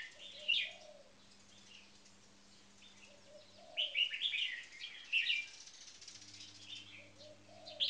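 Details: Two caged red-whiskered bulbuls, one a marathon frequency singer: short rich warbling phrases around four and five seconds, an early sharp chirp, faint low coos between, and a low mechanical hum that stops and restarts.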